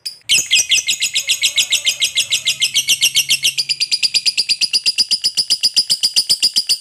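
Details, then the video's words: Caged lovebird giving a long chattering song used to prompt other birds to sing: rapid, even run of high metallic chirps, roughly four per second, held steadily for the whole stretch with a faint low hum beneath. "Masteran Love Bird ngekek Panjang || pancingan ngekek langsung gacor"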